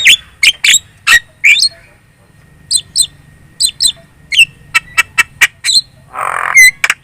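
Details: Javan myna lure song, a very chatty, lively performance meant to make other birds answer: sharp harsh chips and clicks in quick bursts, with repeated paired high notes and a rough noisy squawk near the end.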